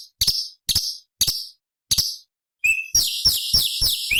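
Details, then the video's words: Sooty-headed bulbul (cucak cungkok) from an original forest recording, high-octave variation material used to train other songbirds. Short, sharp, high chirps come in separate bursts, then a dense run of rapid, bright, twittering notes. "Masteran Cucak Cungkok Istimewa ~ Suara Asli Hutan Materi Variasi Oktaf tinggi"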